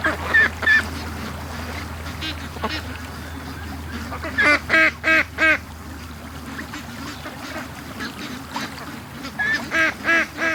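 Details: Domestic ducks let out of their pen in the morning after being held an extra hour, rushing to the lake; bursts of loud, harsh, harmonic quacks come in rapid runs of several, separated by quieter stretches of low steady hum.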